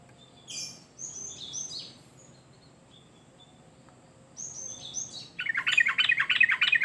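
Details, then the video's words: Sooty-headed bulbul in lively song, used as a lure and tutor recording for other birds: thin high sweeping chirps at first, then a loud, bubbly, rapidly repeated warble of mid-pitched notes in the final seconds. "Burung Trucuk Gacor"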